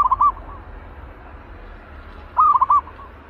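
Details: Spirited caged zebra dove readied for decoy trapping: one burst of quick soft coos cut off at the start, then a second full burst of rolling, rhythmic cooing notes over a quiet low hum.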